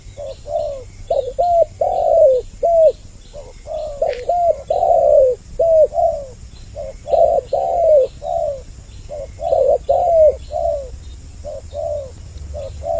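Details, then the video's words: Doubled spotted dove cooing used as a lure to bring males and females near: a dense run of mellow, falling coo notes from overlapping birds, with a brief sharp click partway through and faint background hum. "Suara Pikat burung Tekukur Mp3 Doble Suara"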